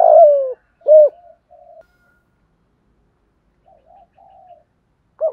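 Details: Spotted dove coo in the "thúc gù" style, meant to prompt wild and decoy doves to coo. A long, slightly falling coo and a short rounded note open the clip, followed by soft murmurs and a final brief coo.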